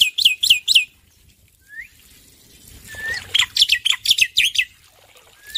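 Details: Male black-winged myna (Sturnus melanopterus), a kept bird, singing loudly: bursts of harsh, high chattering notes, about four a second, with a few rising whistles between.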